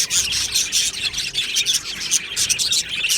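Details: Budgerigars chirping in an aviary, quick bright tweets and warbled squeaks layered from several birds in a busy chorus.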